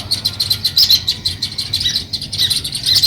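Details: Sparrow at the start of nest building, giving quick bright chirps in a steady stream, about several per second, each short and high, with soft low background hum.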